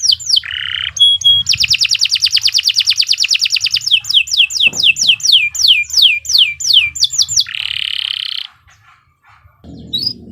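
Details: Long canary song meant for tutoring other birds: clipped notes, a harsh buzzy phrase, a long rapid trill, evenly repeated downslurred whistles, another buzzy burst, then near silence with a brief low noise at the end.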